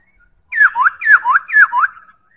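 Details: Three repeated pairs of whistled notes from a White-browed laughingthrush, each pair a down-slurred note followed by a rising one, delivered evenly about every half second.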